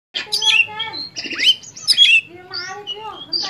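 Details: Oriental magpie-robin singing vigorously; bursts of high, sliding whistles and sharp notes alternating with lower, drawn-out warbled phrases.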